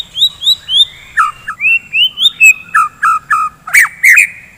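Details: White-rumped shama singing in the morning, kept for fighting: clear upward-sweeping whistles repeated in a steady rhythm, mixed with lower slurred notes and a couple of harsh chattering bursts near the end.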